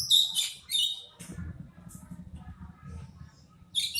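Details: Oriental magpie-robin, known locally as kacer, giving a style called batuk; short bright whistled and harsh notes high in pitch in bursts at start, middle and end, with low background hum.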